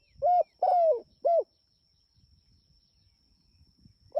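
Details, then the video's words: Spotted dove, a persistent caller summoning companions: a quick run of three coos, short, long and falling, then short again, followed by near silence and one last coo starting. "Suara Burung Tekukur Gacor Memanggil Temanya"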